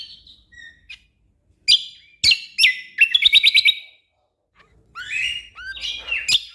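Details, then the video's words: Orange-spotted bulbul in full song, used as tutor material for contest songbirds: scattered sharp high notes, a fast stuttering run of about seven clipped notes near three seconds, then rising slurred whistles and chirps. "Masteran Burung Cucak Kombo Gacor Full Tembakan Rapat Cocok Untuk Isian Burung Lomba Kicau"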